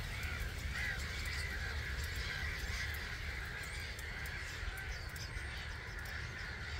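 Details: Roost departure of about 250,000 starlings at dawn, 05:45, 21 March 2022, Gibraltar Point NNR hide: a continuous massed chatter of countless birds, steady throughout, over deep wind noise.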